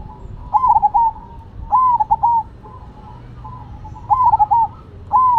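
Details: Perkutut, zebra doves of cemani and silver varieties, singing eagerly: four bright phrases, each a ringing note followed by quick stuttered coos, repeating about every one to two seconds against faint background cooing.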